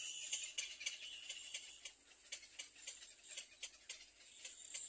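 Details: Little egret chicks at the nest trying hard to bite their mother; a fast run of dry, clicking ticks, about four each second, over a steady high hiss.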